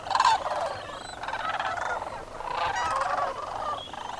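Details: Large flock of wintering sandhill cranes waking and flying out at sunrise from an overnight roost on a frozen wetland pond at Bosque del Apache National Wildlife Refuge; many overlapping rolling, trumpeting calls rise and fall in waves, with no single caller standing out.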